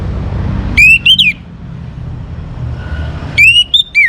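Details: Singaraja, North Bali: a young orange-headed thrush, whose song is used to make other birds sing, gives two short phrases of rising and falling whistled notes. The phrases are about two and a half seconds apart, over a low, droning rumble.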